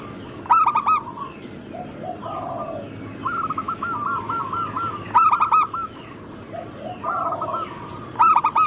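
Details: Group of local Zebra doves of Bangkok-crossing type, singing actively for a lure and training recording: loud ringing coo phrases roughly every two to four seconds, softer stuttering trills between, and overlapping lower doves.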